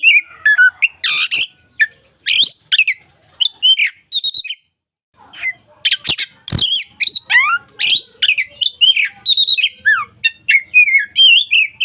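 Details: Oriental magpie-robin, local type, singing energetically as a daily training model: loud harsh bursts and whistled slurs in rapid phrases, a short silence, then a long run of varied chattering and falling whistles.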